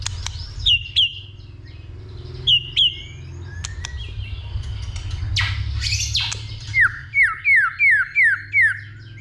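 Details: Stirred by a female, a white-rumped shama sings a fighting song with 'tạch' calls and tail flicking. Scattered paired whistled notes and clicks, a noisy burst, then a rapid series of about seven bright down-slurred notes.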